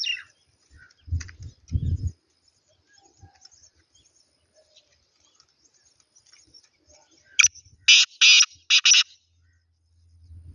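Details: Black francolin call: a burst of four or five harsh, grating notes in under two seconds, after quiet stretches with low thumps and faint voices.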